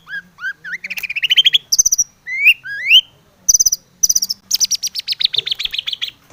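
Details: Long-tailed shrike singing a full, varied song meant to rouse other shrikes to sing. Rising whistled slurs alternate with dry clicking bursts, ending in a fast run of rapid, buzzy repeated notes.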